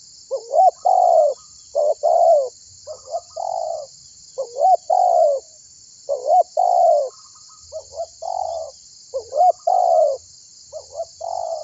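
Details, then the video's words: Spotted dove (tekukur), a vigorous caller used as a lure to call other birds into singing; repeated low, hollow coo phrases, each a short rising note then a long drawn coo, about nine phrases, over a steady high insect-like hiss. "Suara Burung Tekukur Gacor Memanggil Burung Lain Agar Ikut Bunyi"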